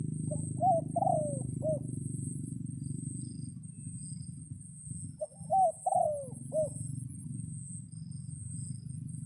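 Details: Red junglefowl rooster crowing to lure wild birds as rain sets in: a pair of four-part crows, each with a drawn-out descending middle note, separated by about five seconds of low droning background.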